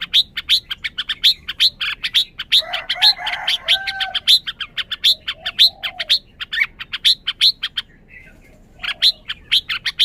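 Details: {'caption': 'Red-whiskered bulbul giving a long run of sharp, clipped high chirps in quick succession, with a softer lower warbling phrase in the middle and a brief pause near the end.'}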